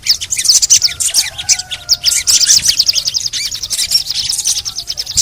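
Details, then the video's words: A continuous stream of high, buzzy twitters and chattering trills from a crimson sunbird (sogon), with faint whistled tones underneath. The recording is used to encourage other sogon to call. "TERAPI SOGON MALAS BUNYI❗PAKE AUDIO INI DIJAMIN BURUNG SOGON MANAPUN PASTI IKUT BUNYI GACOR NGLEPER"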